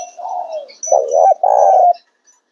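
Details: Close Spotted dove coo phrase: a soft lead-in note, then a wavering double-note and a long, even, hollow hoot.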